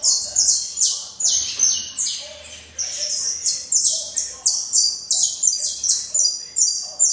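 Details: Saffron finch in vigorous song: rapid, sharp, high-pitched notes tumbling one after another, more than two per second, steady and energetic, with a low hum faintly underneath.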